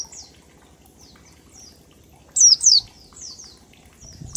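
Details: Oriental white-eye in ngalas style as a singing lure: faint soft high notes, then a loud pair of sharp downslurred whistles followed by quieter chips, over low background hum.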